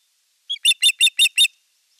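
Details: Osprey at a nest camera on 25 April 2022, calling during a sky dance and courtship display to an unringed female. A brief lead note is followed by five sharp, ringing chirps in a quick, even run, about five per second, against silence.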